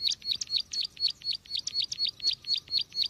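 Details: Bar-winged prinia lure call for trapping birds: rapid run of bright, high chirping notes repeated about four times a second in an even, insistent rhythm.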